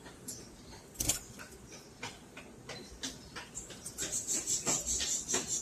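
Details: Caged peach-faced lovebirds chirping, high squeaky notes clustered near the top of the range, uneven bursts with a sharper click at one second and a quicker run of rhythmic chirps toward the end.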